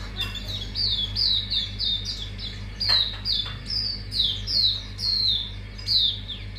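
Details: Mangrove whistler lure recording unloading its full song repertoire: a steady, rapid stream of bright, high down-slurred whistles, roughly two per second, with a couple of brief knocks midway and a low hum.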